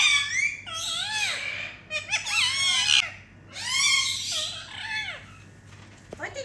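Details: Indian ringneck parakeets kept indoors making happy sounds during playtime: a run of loud, raspy, arching screeches, four or five long calls with brief pauses between.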